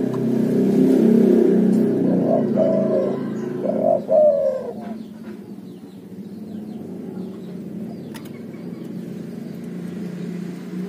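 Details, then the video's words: Hybrid of spotted dove and zebra dove cooing actively: low, hollow coos in a steady run, then a few brief higher, whistled notes before the calling fades into a soft background hum. "suara burung cuhu gacor ngoar nguku hasil silang puterxtekukur"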